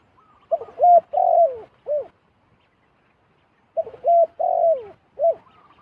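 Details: Zebra dove calling as a wild individual flies to a decoy: a clipped coo, a brighter note, a long falling coo and a short final coo, the whole phrase repeated after a pause.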